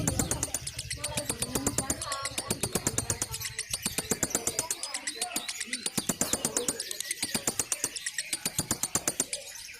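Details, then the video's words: Lovebird giving a long, continuous ngekek chatter: fast, evenly repeated harsh notes, nearly three per second, mixed with twittering and squeaky warbles, used as a training recording for magpie-robins. "love bird ngekek panjang kongslet"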